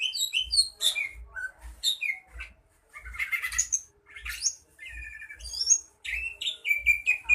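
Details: A greater green leafbird in Bojonegoro during mental training pours out high, varied song: quick downslurred whistles, twittering trills and scratchy bursts with brief pauses, over faint regular low knocking.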